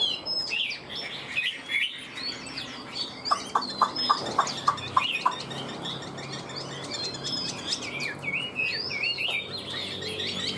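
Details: A tame caged Chinese hwamei sings a fast, rich stream of varied high whistles and trills, with a run of about eight sharp, evenly spaced notes near the middle.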